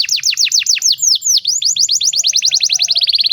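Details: Canary singing a long master song meant to train young canaries: a string of quick, bright downward-sweeping notes, roughly eight per second, then a slightly higher, tighter run of repeated notes that speeds up toward the end.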